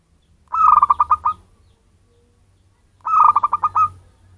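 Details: Zebra dove of local wild stock, recorded as a lure sound for attracting birds: two quick, rolling phrases of rapid soft cooing notes, spaced about two and a half seconds apart, over near silence.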